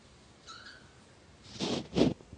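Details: A cockatoo pestering a cat gives a faint thin whistle, then two loud, harsh, raspy screeches in quick succession, less than half a second apart.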